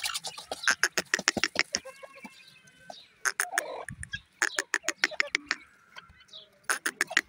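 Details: Black francolin chicks of the new season giving rapid, short high chirps and clucks, several per second in uneven bursts, mixed with sharp clicking and scratchy tapping noises and a brief pause near the middle.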